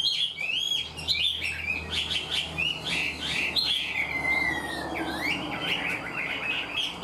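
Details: Caged Chinese hwamei, wild-caught yet singing in a structured way like a tamed bird: bright whistled warbling with a long clear descending slur midway, then renewed rapid fluty phrases; faint low hum behind.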